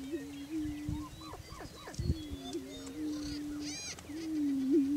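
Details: Greater prairie-chickens displaying for breeding territory on a lek in Washington County, Kansas, giving low, hollow, overlapping booming moans with higher whooping cackles and squeaks above.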